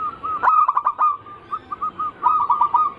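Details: Anggungan zebra dove song used as a lure: a burst of quick clicking coos, then evenly spaced soft single coo notes, closing with another fast rolling trill at the same steady pitch.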